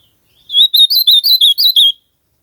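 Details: Ultramarine grosbeak singing in nature: one brisk phrase of about seven quick warbled notes, each rising then falling, tightly linked over roughly a second and a half, high and clear with no other sounds.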